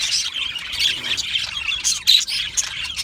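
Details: Budgies in an aviary, described as happy: short squawks and twittering notes in quick succession, several louder chirps standing out toward the end over constant background chatter.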